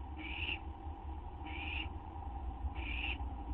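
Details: Owl waiting for a food treat of gopher or vole, just after midnight on 8 September 2011: three harsh, breathy hissing bursts, each under half a second, spaced about 1.3 seconds apart over a steady low hum.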